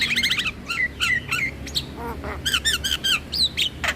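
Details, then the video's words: Javan myna song for luring other mynas and starlings: loud stacked whistles and squawks in quick clusters, some notes falling in pitch, plus a softer low warble near the middle. "PAncingan Semua Jenis Burung Jalak dengan Ocehan Jalak Kebo"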